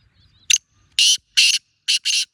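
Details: Wild black francolin giving its harsh, grating call: one short rasping note, then two longer buzzy bursts, then a quick closing pair, all crowded into about two seconds with almost no background.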